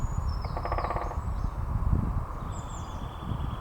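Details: A great spotted woodpecker drumming at Balgay Hill, Dundee, gives one brief, fast drumroll lasting about half a second, over a steady low rumble, with thin high bird whistles.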